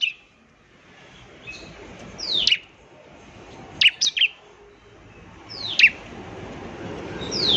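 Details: Bar-winged prinia song used to draw newly caught birds into singing: scattered sharp, falling high notes, some doubled, spaced a second or more apart over a noticeable background hiss.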